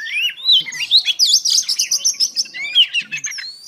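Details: Oriental Magpie Robin female in song intended to rouse males: fluid swooping whistles and rapid warbled notes, delivered loudly, with faint low background sounds.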